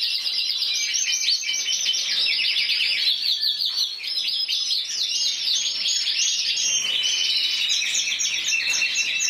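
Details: Individual intense yellow canary, Spain's 2014 champion scoring 94 points, sings a long unbroken rattle of rapid trills and rolls, varying tempo slightly throughout.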